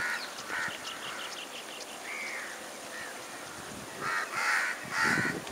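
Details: A Plain Prinia (Prinia inornata) in Sri Lanka gives a quick series of thin, ticking notes and a slurred whistle, then loud, harsh buzzy notes near the end.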